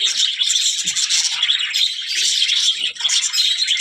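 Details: Budgerigars, said to be talking, give a busy, high-pitched stream of twittering warbles and buzzy chirps, closely overlapping with no gaps.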